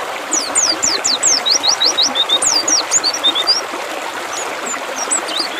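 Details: High-pitched twittering of a mountain white-eye, played as therapy to get the bird singing: a fast string of sharp descending whistles, then scattered softer chirps fading out, with constant rushing background noise.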